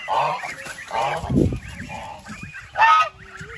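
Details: Goose honking: several nasal, harmonic honks at irregular intervals, the loudest and harshest one near the end, with a dull low thump in between and quieter calls in the background.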